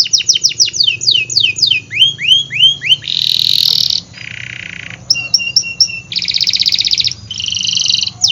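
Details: Canary singing strongly, used to prompt canaries that are slow to sing. It opens with quick descending sweeps, then long buzzy rolls, clipped whistled notes and fast pulsing trills at varied pitches.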